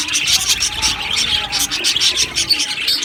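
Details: A colony of Australian budgies chirps in rapid, pulsing bursts of high tweets, many voices overlapping into a lively aviary chorus.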